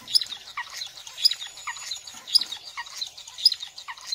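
Star finch giving thin, high, sharp notes about once a second, with soft twittering chatter from other finches in between.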